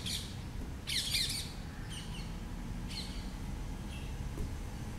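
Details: A female Blue-throated Flycatcher, a winter migrant in Chennai, Tamil Nadu, India, gives harsh, scratchy chatter bursts a second or so apart, with a few thin higher notes between, over a steady low rumble.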